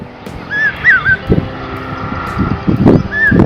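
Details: Common Hawk Cuckoo, a call heard from late summer as the monsoon rains begin, gives a shrill three-note whistled phrase rising in pitch, then starts another; the call is likened to "brain fever". Low thumps and rumbling run underneath.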